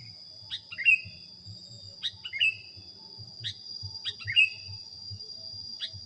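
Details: Sooty-headed bulbul training recording: clipped tweeting notes and slurred downward phrases repeated every second or two, backed by a steady high insect drone and faint low rumbling.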